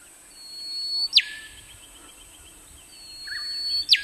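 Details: Song of a male rufous whistler from Queensland's Burnett region, Australia; two phrases, each a long steady high whistle leading into a loud abrupt cracking note that sweeps sharply downward, under a faint constant high hiss.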